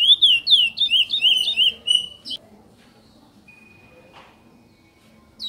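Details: Chestnut-bellied seed finch (curió), a bird kept in domestic breeding, singing in the praia mineirinho style: a quick series of clear whistled, slurred notes for about two seconds, then quiet with a faint high tone.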